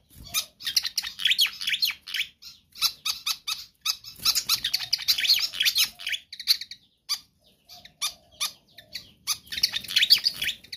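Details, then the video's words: Nonstop pied fantail singing offered as a lure: long stretches of rapid high squeaky chirps in dense bursts separated by brief silences. "Sikatan Kipas GACOR ISTIMEWA"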